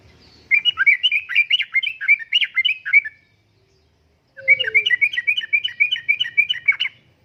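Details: Two fast, bubbly phrases of about two and a half seconds each from a prolific yellow-vented bulbul, 'uplik-uplik' style tutoring song for caged birds, with a short silence between them and a faint low hum.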